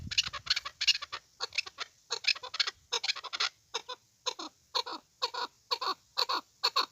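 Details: Chukar partridge calling, a series of harsh clucking notes in paired and grouped bursts, repeating roughly twice a second with short gaps, clear and dominant over quiet background.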